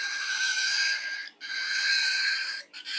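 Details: Two long, wheezy, grating bursts from a Falk bird, whose weird song is likened to a pig's grunting. A short break falls between the bursts.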